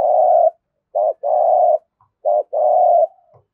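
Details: Spotted dove from Đồng Nai, Vietnam, performing thúc gù fighting coos: a long held coo, then two phrases of a brief note plus a sustained burring coo, evenly spaced.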